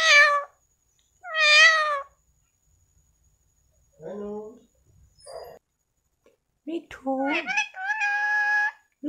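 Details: Pet parrot talking indoors: separate harsh, voiced word-like calls with clear harmonic bands, some rising, others flat and nasal, spaced by silences.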